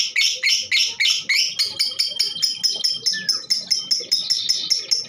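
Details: Female lovebird, whose call is played to prompt other birds to sing, giving loud harsh notes that grow shorter and quicker, with a brief thin whistle in the middle.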